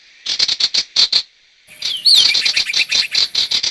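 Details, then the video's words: Lure recording of sirtu for catching wild birds: seven quick high chirps, a short pause, then a swooping whistle followed by steady rapid chirping. "Suara pikat burung sirtu"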